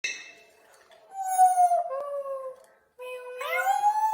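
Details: A 4-year-old Congo African grey parrot gives drawn-out, wavering tonal calls, some sliding up or down, with a short pause midway; the sounds are harmonic-rich and vaguely howl-like.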